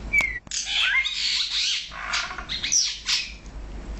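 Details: A male and female Brahminy starling pair in Kuwait chatter almost nonstop, a dense jumble of high squeaks, creaky notes and quick whistled slurs overlapping for about three seconds.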